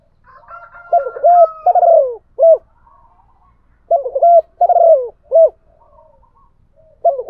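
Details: Spotted dove used as a decoy, cooing to challenge a wild rival: low hollow coos in short clusters of two or three notes, repeated several times with brief pauses, plus faint softer cooing in the background.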